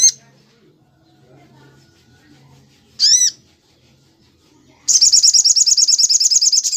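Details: Master recording of a sunbird singing in the tembak style of Cililin, made to train other birds: isolated sharp high calls with a lower harmonic, then a sudden sustained shrill trill of rapid repeated notes.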